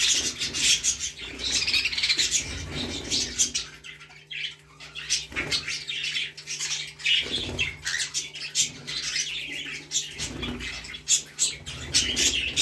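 Cockatiels chattering in bright, scratchy chirps, with bursts of wing flapping.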